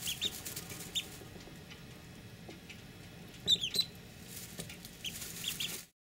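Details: Snowy call ducklings, one day old and hatched the night before, give thin, high peeps, a few scattered then a quick cluster of three, over steady hiss and rustling.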